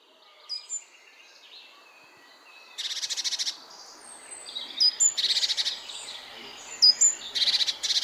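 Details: Great tit (Parus major) visiting a feeder at an office window, where it eats walnuts, hazelnuts and seeds, gives harsh, buzzy churring calls in three bursts about two seconds apart, with thin high whistles from other small birds between.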